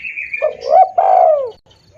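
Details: Spotted dove call used as a bird-luring sound: a short rising coo, then a long, loud, downward-arching croon, with a thin higher whistle fading beforehand.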